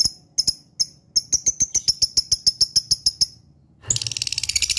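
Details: Lovebird lure calls meant to provoke other lovebirds into answering and chattering: sharp, shrill, high chirps in a fast series of about three per second, then a dense, harsh burst of rapid chatter at the end.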